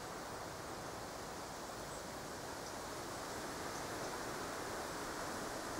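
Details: Even, steady rush like a stream or distant surf, with no animal voice and a knock at the end.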